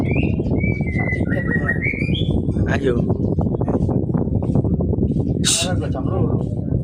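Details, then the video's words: Greater green leafbird singing a quick run of clear whistled notes, rising and falling, over a steady loud low rumble of background noise, followed by a brief harsh burst. "vurung cucak ijo jamtrok"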